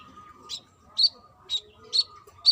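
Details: Female brown-throated sunbird calling to a male: five short, bright, high chirps spaced about half a second apart over a thin constant hum.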